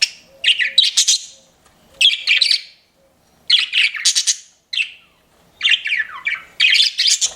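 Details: Pet budgerigars, several birds, chirping while flirting: bursts of bright, scratchy chirps and warbles, each burst lasting about a second and separated by short pauses, with a faint clicking in the background.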